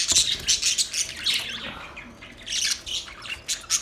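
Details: Budgerigar chirps: short squawky notes and sliding warbled chirps in quick irregular bursts, with a softer lull midway.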